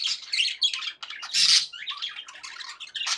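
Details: Happy budgerigars indoors produce dense, harsh warbling chatter with shrill squawks and quick chirps, a louder burst midway, then softer rambling notes.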